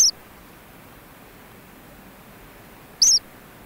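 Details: Cheeps from ancient murrelet chicks inside a burrow on Frederick Island: two brief, very high, pure notes about three seconds apart, separated by quiet hissing background.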